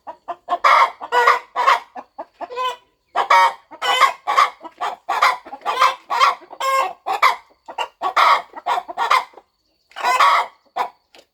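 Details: Brooding mother hen on her farm nest preparing to hatch eggs; a steady run of quick rough clucks, a few stretched into nasal harmonic notes, nearly continuous with one short gap.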